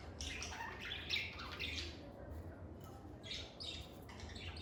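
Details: Cheerful lovebird chatter in a calm environment: clusters of high, harsh chirps early on, a short pause, then another burst of squeaky notes near the end, with a faint low background hum.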